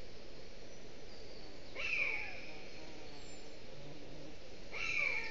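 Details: A common buzzard at Aizkuja, Latvia, on 28 June 2020 around 11:54, at a young bird's first flight, gives two thin, high, downslurred mewing calls about three seconds apart over a low background rumble.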